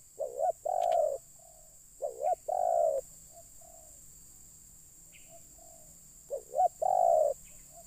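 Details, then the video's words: Spotted dove used to lure wild birds, three loud phrases of two quick upswept notes and a long coo, while softer, fainter coos answer between phrases, over steady hiss. "Mikat Terkukur..ll Keren kalau Burung liar Sudah Turun"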